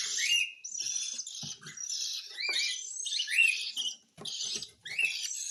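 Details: Cockatiel being hand-fed indoors, giving harsh, raspy, wheezing begging calls in rapid bursts with short rising notes and brief pauses, plus faint low clicks and soft handling noises.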